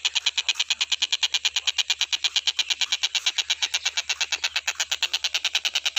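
A stork-billed kingfisher gives a harsh, rapid chatter of about six notes a second, held without a break, over a faint low hum.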